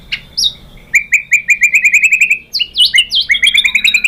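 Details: White-rumped shama song used as a lure to provoke other birds into singing: a lively run of rapid repeated chirping notes, then sweeping whistled slurs and another fast chattering series, with a low background hum.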